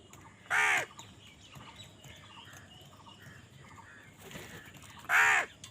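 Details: Crows fighting for food: two loud, harsh, rasping caws about four and a half seconds apart, each short with dense harmonics, over quiet background with faint chirping of small birds between them.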